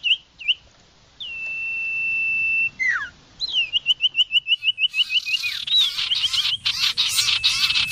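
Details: Iora giving short chirps, a long level whistle with a falling slur, then a fast chirping trill, masked near the end by loud rustling noise.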